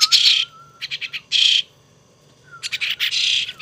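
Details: Young pet starling, received as a gift and now being hand-raised, gives loud, harsh, broadband rasping bursts. Each lasts about a quarter to half second, with gaps. A thin, wavering whistled tone runs between them.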